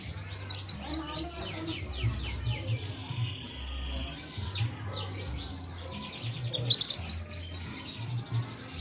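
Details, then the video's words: Juvenile pied bushchat at the stage of being trained to sing: two bursts of four quick, high, upward-sweeping whistled notes, one at the start and one near the end, over steady chirping from other birds and a low hum. "BURUNG MANTENAN TROTOL TAHAP PENGGACORAN"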